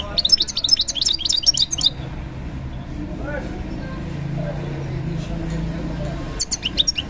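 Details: European goldfinch kept as a cage bird at a bird market, singing quick liquid twittering phrases for two seconds, a pause filled with market hubbub and low rumble, then another burst of chirpy twitters at the end.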